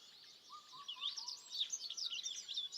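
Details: Birdsong recorded in Gotjawal forest on Jeju, with a dense chorus of high, twittering chirps and trills and a lower, steady whistled note running beneath them.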